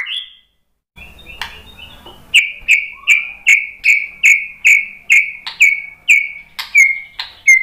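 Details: White-rumped shama answering a lure recording: a brief high whistle, a pause, then a run of loud, evenly spaced whistled notes, about two or three per second, each dropping slightly in pitch.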